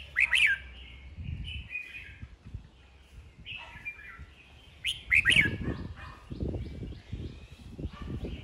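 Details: Red-whiskered bulbul duel singing, meant to excite newly caught birds: two loud bursts of sharp, tumbling whistled notes about five seconds apart, each trailing into softer warbles, with low thumping noise beneath.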